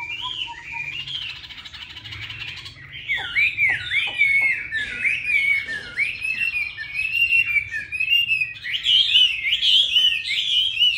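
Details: Chinese hwamei kept in Hanoi, praised as a good singer: a few soft low notes, then a long flowing stream of bright slurred whistles, some sharp downward strokes, rising to a fuller warbling finish.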